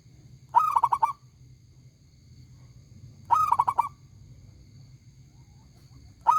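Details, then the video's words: Local zebra dove calling loudly, two full trilling coo phrases of quick pulsing notes, then a third beginning at the end, over a low rumbling background hum. "perkutut lokal gacor suara besar nyaring"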